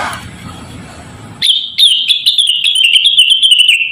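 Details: Javan cochoa song meant as a model for training rengganis and other birds: a sudden, loud, high whistled trill that wavers and slowly drops in pitch over two and a half seconds, starting after quiet faint background noise.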